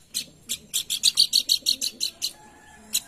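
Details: Lure call of the pelanduk bukit, meant to prompt singing: rapid run of high, sharp chip notes, about three per second, ending with a pause and two more chips.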